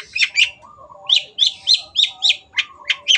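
Long-tailed shrike giving harsh, scratchy chattering notes, about three a second, with a faint lower whistled warble running beneath.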